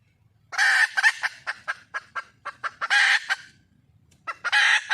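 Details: Wild red junglefowl hen calling for a mate: loud, coarse cackling squawks alternating with a handful of sharp clucks, the whole sequence harsh and noisy, ending in another loud cackle.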